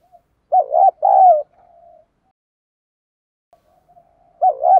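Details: Spotted dove cooing in a fighting style meant to stimulate a decoy bird: a full two-part phrase of a throaty short coo and a longer sliding coo, soft trailing murmurs, then another phrase beginning.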